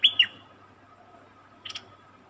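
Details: Cream-vented bulbul, a captured wild bird, singing: two loud whistled notes arching down, then a faint double chirp after a pause; a steady low hum runs underneath.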